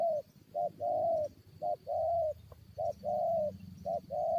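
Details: Spotted dove acting as a lure while fighting wild birds, cooing in rhythmic phrases of two or three hoarse notes, a short one then a long one, against soft rustling and low hum.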